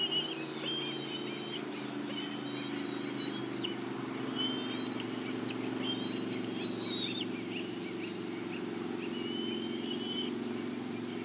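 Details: At a Big Bear bald eagle nest, seen on a live cam as prey is delivered, the eagle utters a string of high piping, slightly rising whistled phrases every second or so over a steady low mechanical hum.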